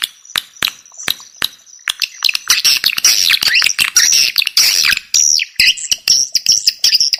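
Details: Swiftlet lure call meant to draw swiftlets in: opens with sparse dry clicks, then a dense run of chattering, buzzy twitters with thin whistled overtones, ending in separate chirps.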